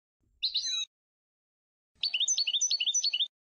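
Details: European goldfinch from Sfax, Tunisia, in a high-quality recording made for song training: a brief burst of twittering notes, then a rapid run of liquid, tinkling phrases repeated about four times a second, all high-pitched and clean.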